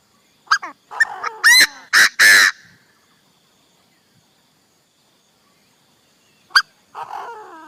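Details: Chinese francolin used as a decoy bird, giving a loud ringing phrase of harsh, rasping notes that climbs to three strong blasts, then silence and a sharp note with a short scratchy tail.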